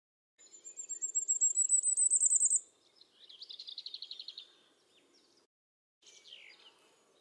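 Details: Common firecrest singing in the Eifel near Dohr, Germany, recorded with a Sony RX10 IV: a very high, thin series of notes rising and speeding up for two seconds, followed by a lower rapid trill and a brief chirp.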